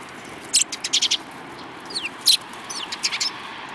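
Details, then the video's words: Lively sparrows chirp in short bright notes, a few quick doubled and tripled bursts with thin downslurred chips between, over faint background hiss. "可愛いすずめ達 201803013（威勢のよい雀、他）"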